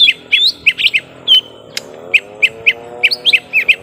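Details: Young lesser green leafbirds fighting at length: clusters of quick curled chirps, a single sharp click, then evenly spaced notes over a faint, low wavering hum.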